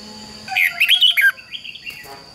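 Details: Red-whiskered bulbul singing a fighting-style phrase: a lively burst of mellow, up-and-down whistled notes lasting under a second, trailed by softer twittering and a constant faint high tone in the background.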